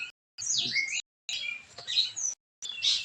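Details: Caged white-rumped shama singing a harsh, sharp 'tembakan' burst style meant to provoke other shamas to sing; dense high scratchy phrases with whistled notes, broken by short silent gaps, three bursts in three seconds.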